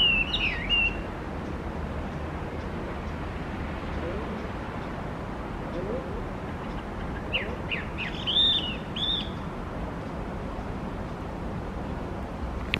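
A Chinese hwamei gives a brief clear whistled phrase, then after a pause a short burst of rich, slurred whistles. A steady low rumble of background noise runs throughout.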